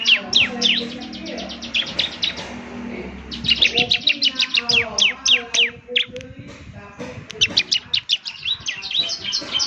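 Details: Lively ciblek semi song for morning playback to prompt replies: bursts of quick, high, downward-sweeping chirps in rapid series, a pause near the start filled with low hum, then renewed chattering.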